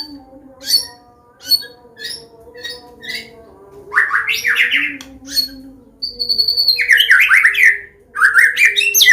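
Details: Medan white-rumped shama singing its open-style combination song for tutoring young birds: spaced sharp clicking notes, then fast upward-swept whistled phrases and a high held whistle, repeated in bursts.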